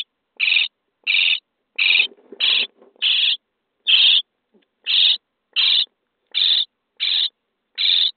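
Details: Nest-box brood of common starlings on day 23, begging during feeding: a run of about eleven short, raspy, hissing calls, fairly even, with faint rustling and lower scratchy sounds mixed in.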